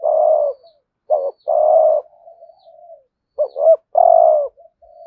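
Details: Spotted dove lure call in the 'hạp bổi' voice for attracting wild doves; two long, low, breathy coos each introduced by short clipped notes, with soft trailing mutters between phrases.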